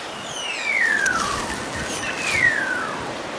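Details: Satin bowerbird in a home yard in Australia gives two long, slurred downward whistles about two seconds apart, each falling from high to mid pitch, over a steady hiss of background noise.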